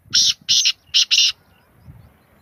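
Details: Four harsh, rasping notes from a black francolin, two paired groups within just over a second, over faint low background noise.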